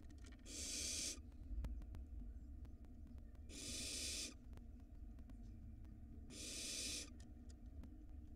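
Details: Barn owl nestlings in a nest in Israel, begging as their mother strikes at a pigeon. Three long, broad, harsh hissing screeches come about three seconds apart over a low rumbling background.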